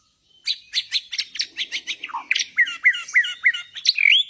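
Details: White-rumped shama of the Borneo type, bowing style (gaya sujud), gives a fast series of harsh chattering notes followed by five ringing downslurred whistles and a final rising whistle.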